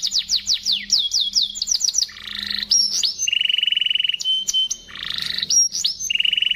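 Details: Canary singing a luxurious-style song with a crystal-clear voice, meant as a master song for training other birds. Fast descending whistled sweeps lead into long rapid rattling trills at steady pitch, with buzzy segments and sharp high notes. No other sounds are heard.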